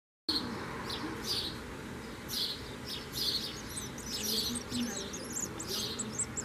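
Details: Common swift giving shrill, high screaming calls in short bursts about once a second, with thin twittering squiggles above and a steady low hum beneath.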